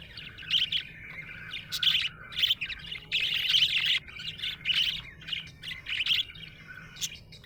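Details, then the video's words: Lively happy budgie chirping: dense, loud bursts of rapid twittering nearly every half second, strongest around two and between three and four seconds, with almost no pause. "Happy budgie chirping sound"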